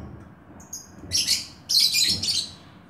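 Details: Oriental magpie-robin, described as lively, giving a brief high thin whistle followed by two loud, harsh, scratchy chirp bursts in quick succession over a quiet background hum.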